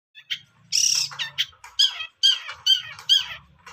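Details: Young wild long-tailed shrike in continuous song: harsh, squawky bursts at high pitch, delivered in quick uneven runs with short pauses and a faint low hum beneath.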